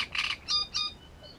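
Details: Great reed warbler singing at Grachevka: loud, harsh, grating notes in three quick bursts, each rich in stacked overtones, the last fading into a softer thin note.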